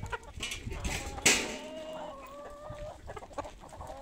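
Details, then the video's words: Chickens at feeding time, a sharp clatter at the start, then a drawn-out hen note and scattered clucks over a background of flock noise. "Τime for food , happy moment for our poultry"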